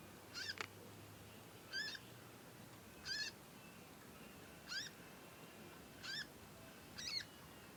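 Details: Young conin learning to sing and calling steadily. Six bright, harmonic chevron-shaped chirps come about every second and a half, with quiet hiss between them.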